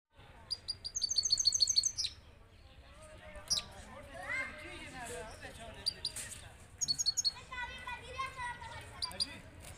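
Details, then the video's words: European goldfinch (saira) singing, the song named saira balkashal: rapid bursts of high, thin twittered notes repeated in quick runs, with lower sliding notes and background chatter between phrases. "Saira balkashal best singing Goldfinch saira"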